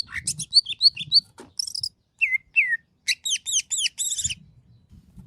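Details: Greater green leafbird (cucak ijo) in varied masteran song: high piercing chirps, downward-slurred whistles and short rapid bursts of sharp notes, broken by brief gaps, with low faint rumbling underneath.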